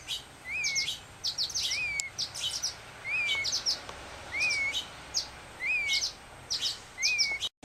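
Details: A fledgling male black-headed grosbeak in rehabilitation care, not yet feeding himself, begs for food with a repeated soft, slurred, up-and-down whistle and high twittering chatter about once a second, trembling his wing.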